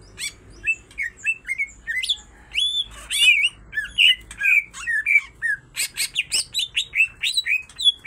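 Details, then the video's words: Male and female greater green leafbirds in full song, loaded with tengkek (kingfisher) imitations: varied clear whistles mixed with sharp squawky notes, building to a dense burst of overlapping phrases at the end. "full isian tengkek cucak ijo betina dan jantan sama sama gacor"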